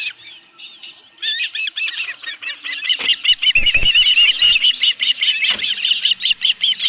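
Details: At a ranch nest with a live fish, an osprey calls in an accelerating stream of sharp, high, down-slurred chirps, loud and insistent, with clattering knocks and rustling at the nest.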